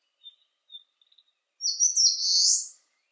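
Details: Eastern crowned warbler in sunshine at 19 °C: several soft high thin notes, then a strong buzzy phrase that climbs and holds for about a second.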